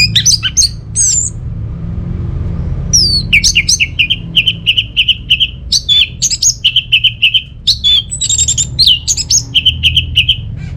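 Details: Orange-headed thrush from Singaraja, North Bali, singing to stir reluctant home birds into song: lively medley of sharp chirps and slurred whistles, then a long series of short repeated notes delivered rapidly, with faint low hum underneath.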